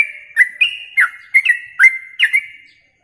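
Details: Yellow-vented bulbul singing on a contest training recording. Quick chirpy, slurred notes with sharp clicky onsets come in a lively series about every third of a second, then fade to silence at the end.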